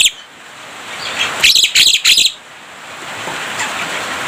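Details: Javan myna whose song is filled with imitations of human speech and coughing. Three loud harsh grating bursts come in quick succession mid-clip, with faint high chatter before and after.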